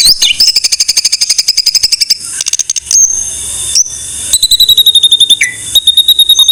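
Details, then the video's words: Murai batu (white-rumped shama) masteran song: rapid high repeated notes, then a few sustained piercing whistles and a short descending slur, followed by more quick repeated notes. "Masteran MURAI BATU"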